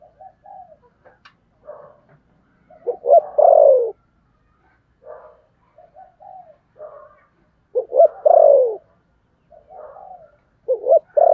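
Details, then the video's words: Spotted dove cooing in thổ sấm voice, thúc gù style. Soft preparatory murmurs lead into loud phrases of a quick double note and a long falling coo, roughly every five seconds. "cu gáy giọng thổ sấm thúc gù"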